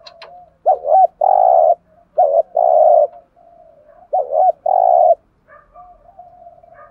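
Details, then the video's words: Decoy spotted dove repeating its provoking thúc gù call: warbled paired notes run into a long, even, husky coo, three phrases in a row with gentle low cooing between them. "tiếng chim cu gáy kích bổi"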